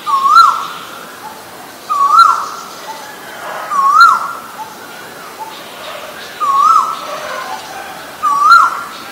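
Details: Asian koel (Eudynamys scolopaceus), male and female: a steady series of five clear whistled notes that swoop upward, about two seconds apart, ringing above a quiet, hissy backdrop.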